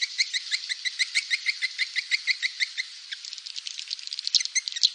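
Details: Swiftlet call meant to attract swiftlets: an even, rapid series of high ticking chips, about two each second, then a blurred, busier chatter with louder twitters near the end.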